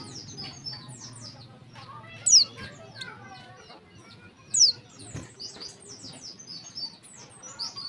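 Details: Female warbling white-eye calling to draw song from males. Two loud, high, downward-swept notes ring out a little over two seconds apart over continuous soft twittering.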